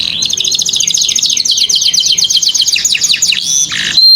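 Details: Canary song for teaching juvenile canaries to sing: a dense, continuous high chatter of rapid trilled notes and repeated sweeps, ending in a short lower rolling phrase and a thin sustained whistle.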